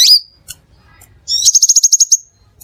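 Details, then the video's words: Crimson sunbird, Aethopyga siparaja, lure recording: a single sharp high chip, a short pause, then a rapid evenly pulsed trill of about ten high notes. "SUARA PIKAT DAN PANCINGAN BURUNG SEPAH RAJA"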